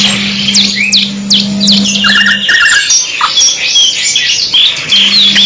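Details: Canary in a two-in-one training song mix: quick high slurred whistles and a short repeated mid-pitched rattle, then looping warbled phrases, with a low hum in parts.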